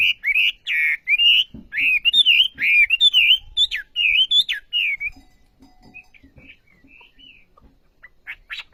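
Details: Olive-backed sunbird (wambi) singing energetically: a run of loud, high, wavering whistled phrases for about five seconds, then only faint scattered high notes and soft low taps.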